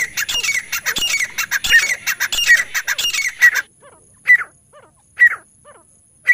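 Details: Francolin calling as a hunting lure: a dense run of rapid, grating notes for three and a half seconds, then single hoarse calls spaced about a second apart.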